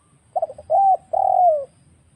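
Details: Lure recording of a wild spotted dove used for trapping: a rapid cluster of short, soft stuttered notes leading into a level coo and then a longer coo that droops in pitch at its end.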